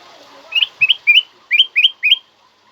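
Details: Black-crested bulbul song, loud and clear, used to spur other birds to sing and as a training recording: six short whistled phrases, each a quick rising-then-bending note, given in two bursts of three over about two seconds.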